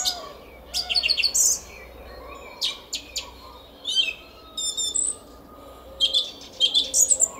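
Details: Song thrush singing in a garden at Szalkszentmárton at 06:15 on a spring morning, 10 April 2021: bright, high phrases of sharply repeated notes, each burst separated by short pauses, with a quiet background.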